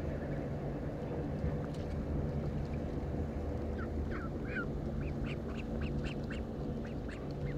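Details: Mallards give scattered short, nasal quacks and chatter, mostly in the second half, over a constant deep rumble like traffic or wind; Mallard.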